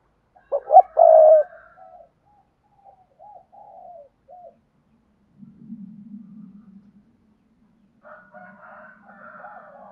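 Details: Spotted dove giving the 'thúc gù' cooing style, played to train newly caught young doves to coo: a loud burst of deep hoarse coos early on, then softer drawn-out notes with a low rumbling underneath.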